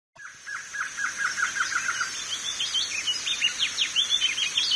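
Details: Wing-barred Seedeater (coleiro do norte) song: a quick run of short, even chips, then fast, varied high twittering, over a steady thin high hiss.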